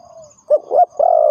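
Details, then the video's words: Spotted dove cooing, used to lure birds for trapping: a soft fading tone, then two short hollow coos and a longer sustained coo, all low and mellow. "The Sound Of Spotted Dove is good"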